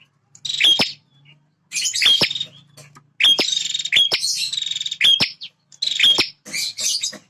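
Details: Male bar-winged prinia, a fighting bird that defends its feeding and nesting territory, singing loudly: sharp clicking notes each followed by a dry buzzy rattle, given in bursts roughly every second with short pauses between.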